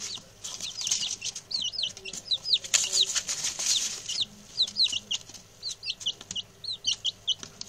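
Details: Six newly arrived male chicks, settling in and very chatty, give a steady stream of high, descending peeps, often in quick pairs or triplets, with scratching and rustling underneath.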